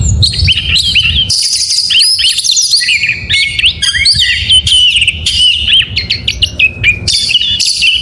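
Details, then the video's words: Morning song of an oriental magpie-robin: a dense, energetic stream of varied whistles, slurs and high buzzy notes, with a low background rumble throughout. "Suara Burung Kacer Di pagi hari GACOR MEWAH"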